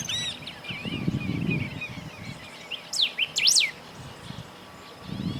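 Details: Golden-billed saltator singing near Esperanza, Santa Fe, Argentina, in 2020: sharp, loud slurred whistles sweeping steeply downward, clustered near the middle, over thinner high chirps and low rumbling background noise at the start and end.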